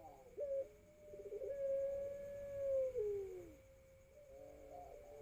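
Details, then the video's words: Young Pelung dove (puter pelung), four to five months old, learning to coo, recorded on a phone; a long, low, drawn-out cooing tone that wavers and slides downward at its end, followed by softer broken coos. "Puter Pelung Paud Belajar Narik Suara//Ringneck Dove puppies learn to draw sound"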